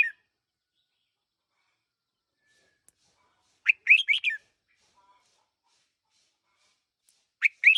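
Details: One-year-old red-whiskered bulbul kept as a decoy bird gives a single rapid, warbling phrase of sharp chirps after a long silence, followed by the start of another phrase at the very end.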